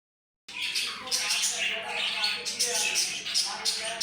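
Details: At naptime, a budgerigar keeps up a soft, steady, contented warbling chatter of high chirps and scratchy notes.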